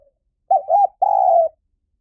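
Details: Spotted dove coo used to lure wild doves to a decoy: a short two-part note followed by a longer steady, slightly descending coo, all low and mellow, with a clean, quiet background.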